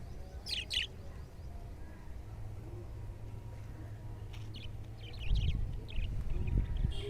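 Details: Budgerigars in a colony setup, including black-face budgies, give short, high chirps and warbles in scattered bursts over a low background rumble.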